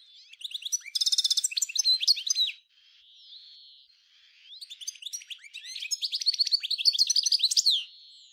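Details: European goldfinch of the 1995 Souk Ahras 'nature' song style, Algeria: a buzzy trill and quick chirps, a quieter pause of soft twittering, then a renewed rapid run of bright sliding notes.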